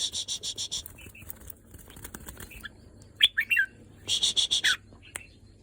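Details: Red-whiskered bulbul singing after being pent up for several days: two short bursts of bright, warbled, slurred notes, with repeated rasping, rattling bursts before and between them.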